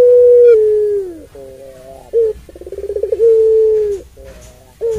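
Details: A puter pelung dove's long call, meant to provoke listening doves. A sinking sustained coo gives way to softer notes, a short hoot and a stuttering pulsed series, then another long level moan.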